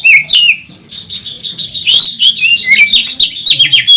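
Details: Oriental magpie-robin, a national first-place champion, singing in a fierce fighting display on a bird contest track, its song full of fill-in phrases: rapid, varied high whistles and chattering notes pouring out almost without pause, with a faint low hum beneath.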